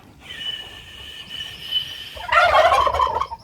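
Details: Domestic turkeys answering their keeper with a 'glú glú' gobble: a long, steady whistled tone held for about two seconds, then a loud, rapid, rattling gobble burst from the turkeys.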